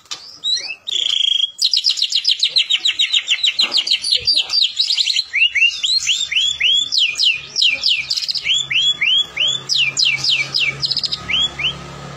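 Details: Sumatran white-rumped shama lure song used to train birds to sing: opening whistles, a long fast chattering trill, then repeated rising whistled phrases and sharp down-swept notes over a faint low hum.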